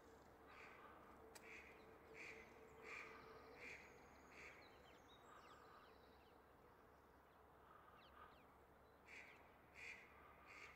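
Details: Nesting rose-ringed parakeets in February, a pair mating by the nest while the male feeds the female; a run of grating, screechy calls, brief pauses between bursts, jackdaws nearby and a low constant hum beneath.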